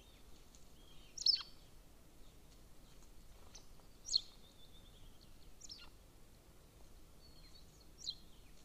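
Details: Golden eagle at a nest camera in Estonia near a military training ground, 13 May 2024, afternoon: four sharp, high, downslurred squealing notes a few seconds apart, with thinner faint whistles between and a steady low rumble beneath.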